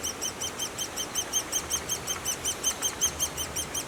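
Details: Great spotted woodpecker nest: thin, high arched chirps repeated rapidly and evenly, nearly three per second, forming a continuous insistent chatter with quiet low background noise.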